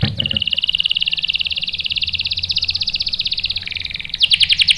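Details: Lure recording of a singing canary, meant to make a male answer with a long rolling song: a steady, rapid, buzzy trill of even notes holding one pitch for about four seconds, then shifting into a higher, sharper trill.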